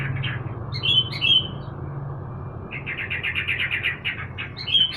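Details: Caged sooty-headed bulbul singing while sunned in the morning; short whistled phrases, then a quick series of bright repeated notes around the middle, ending in another clear whistle, over a low steady hum.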